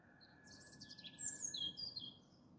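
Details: A European robin sings before dawn, at 4:30 am in January, near a runway in Malta: a thin, high, warbling phrase of quick tumbling notes over a low, steady mechanical hum and rumble.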